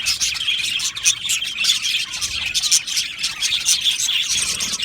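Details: Flock of budgerigars in an aviary, lively overlapping chirps and bright squeaky notes in a steady, pulsing chorus.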